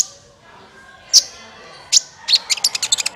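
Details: Sunbird (kolibri ninja) in a lure recording for trapping. Two isolated sharp high chips, then a quick run of about ten ticking notes at the end, over a soft background hiss.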